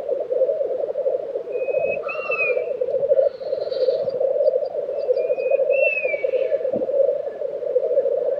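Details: Tiveden, Sweden, April 2023: black grouse bubble continuously at their lek, overlaid by two drawn-out falling whistles and a few tiny high ticks from other birds.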